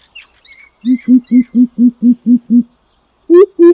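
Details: Greater coucal lure call: after chirping from other birds, a low series of eight hollow boop notes runs quickly and evenly, then two louder, higher hoots begin a new series.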